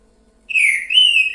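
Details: Green-winged saltator singing in the boiadeiro style: a clear, loud whistled phrase of about one second, starting level, stepping slightly higher, then dropping at the end.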